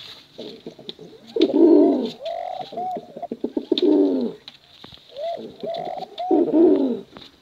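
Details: Male and female contest pigeons give rhythmic cooing: short upward-hooked notes lead into loud, deep, vibrating rolls, repeated about three times, with clicks between phrases.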